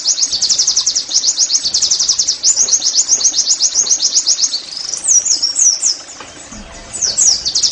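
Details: Oriental white-eye in the 'nembak' song style, played so other white-eyes will sing readily. A long, fast, high rattling series, then looser twittering phrases, a short gap and a final burst.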